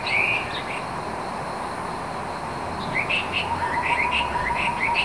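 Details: Taiwan scimitar-babbler (Pomatorhinus musicus) by the Beishi stream, Pinglin, Taiwan, 26 June 2017, giving a quick run of low, even notes with scattered higher chirps over the steady rush of the stream.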